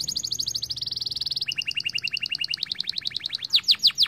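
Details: Singing canaries: a rapid high rolling trill changes into a slightly lower series of quick repeated notes, ending with a few loud, sharply falling whistled notes.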